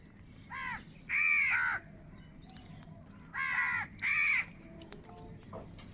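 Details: Four loud, rasping caws in two pairs, a short one then a longer one each time, from crows fighting for food; a quiet low hum continues between calls.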